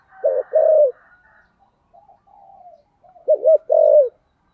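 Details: Spotted dove 'giọng thổ' coos: two deep coos, a soft murmuring pause, then a quick double note and a longer drawn-out coo.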